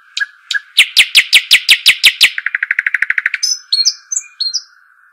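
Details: Arabian babbler singing: sharp descending chips that open into a rapid dry trill of about twenty notes, then several clear high whistled notes, with a constant background hum.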